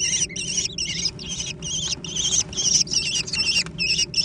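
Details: Young American kestrels fighting over food. Continuous, harsh, quavering high calls come in tight succession, roughly two per second, with a low background hum.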